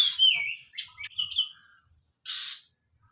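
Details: Oriental magpie-robin singing a few clear whistled phrases with slurred, falling notes, followed after a pause by a harsh buzzy burst.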